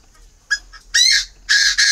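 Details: Tame captive male Chinese francolin, hand-raised from young and awaiting a female for pairing, calling in October winter at Ba Vì, Hanoi, Vietnam: a soft short note, then loud harsh grating notes, the last two long and run together.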